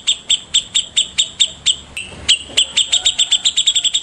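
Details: White-rumped shama morning song made of crisp, repeated high ticks, about four a second, slowing briefly with a soft whistled note before speeding into a tighter, faster ticking run.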